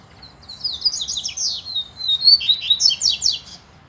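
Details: Double-collared seedeater singing in competition with a free male: a continuous, lively high twitter of rapidly repeated sliding whistles and buzzy notes, rising in intensity through the middle of the phrase.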